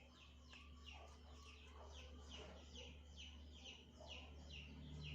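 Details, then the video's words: An African grey parrot starts chirping, giving high, sharply falling notes repeated at an uneven pace of roughly two per second, with a constant deep electrical-sounding hum underneath. "Burung African grey berkicau"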